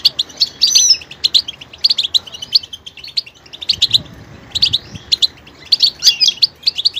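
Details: High, tinkling goldfinch twitter delivered in clustered phrases, mixing sharp chirps with slurred whistled notes and buzzy bits, pausing briefly midway.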